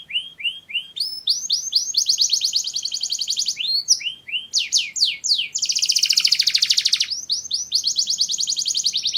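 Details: Canary singing for mating: rapid trills of repeated high notes, sweeping downslurred phrases and a dense buzzy rattle, each section switching abruptly to the next.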